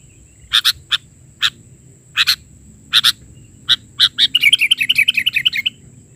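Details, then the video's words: Sooty-headed bulbul, isian (filler) song in the bahari version, singing vigorously. It gives spaced single sharp chirps at irregular intervals, then breaks into a fast rattling trill of quick repeated notes. "Suara isian...burung kutilang gacor versi bahari"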